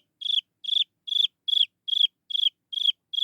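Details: A Chinese francolin chick calls out to draw its mother near, repeating high, slightly descending notes about every half second, each note made of rapid stuttering pulses, in an otherwise quiet setting.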